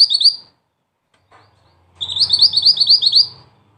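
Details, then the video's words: Mantenan, a black-and-red bird whose 'ngerol tembak' rolling song is used to tutor songbirds, gives a short burst of high chirps, pauses, then a longer rapid string of piercing slurred notes over a faint low hum. "Mantenan Mungil Cantik Dengan Suara Pedas"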